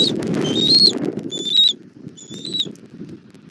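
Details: At a Southwest Florida bald eagle nest on camera, 17:30 on 1 April 2024, the mother brings food to her chick: three high whistled notes with harmonics, the first over louder low rumble, then quieter.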